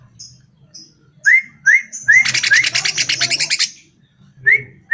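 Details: Greater green leafbird lure song meant to make caged birds respond: clear upslurred whistles repeated about twice a second, broken by a rapid, buzzy, high trill, then more rising whistles.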